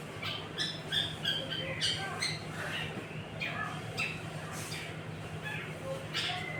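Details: Shrike singing energetically against a magpie-robin: harsh, scratchy squawks and short chirps repeated rapidly and irregularly, with bright high notes scattered throughout over a steady low hum.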